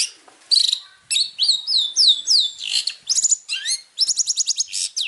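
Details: Long-tailed shrike master song recorded for training birds, a varied, high-pitched run of clear rising whistles and sweeping slurred notes, then a fast series of sharp, evenly spaced chips near the end.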